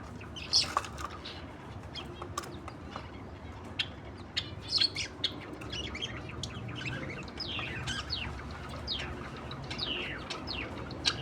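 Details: Australian budgerigar pair chattering softly, with quick descending whistled chirps and occasional sharper, high clicks scattered across the stretch, against steady low background hum.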